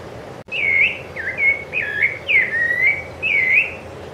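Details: Sabiá-laranjeira, the rufous-bellied thrush, recorded on Ilha do Governador, Brazil, January 2013, delivering five loud, melodious whistled phrases with looping rising and falling slurs, separated by brief gaps; a short click comes just before the first phrase.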